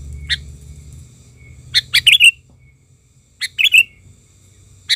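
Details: Sooty-headed bulbul lure bird in full agitation to attract wild bulbuls: repeated short chattering bursts and lone sharp notes, two fuller phrases ending in bright whistled slurs, separated by near silence.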